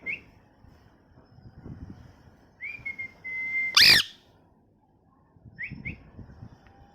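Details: Pet parrot in molt, missing feathers, giving high clear whistled chirps: a short note at the start, a long level whistle near three seconds, a loud harsh burst around four seconds, then two quick rising chirps; faint low room noise underneath.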